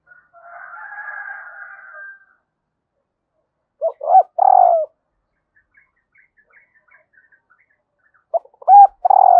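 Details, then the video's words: Female spotted dove calling to stimulate males: two short cooing phrases, each with a brief note, a loud falling coo, a rapid stuttering trill sliding downward and a final short coo. Earlier, a drawn-out harsher higher call sounds in the background. "Tiếng cu mái kích trống"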